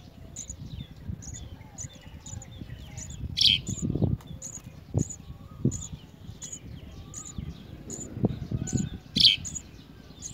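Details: House sparrow feeding a large blue caterpillar to its chick; thin, high chirps repeat steadily about twice a second, with a few louder, sharper bursts, over low rumbling handling and rustling noise.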